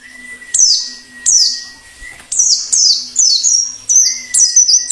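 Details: Wild white-eye in the plengi ngalas style, used to prompt singing and lure wild birds: high, sharp notes sweeping downward, in bursts about every second, over a steady thin whistle-like tone and a faint low hum.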